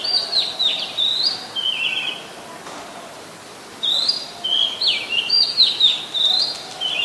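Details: Oriental magpie-robin singing in Ubon Ratchathani, Thailand, late December 2020: bright, rapid sequences of high whistled and slurred notes in two bursts separated by a quiet pause of about one and a half seconds.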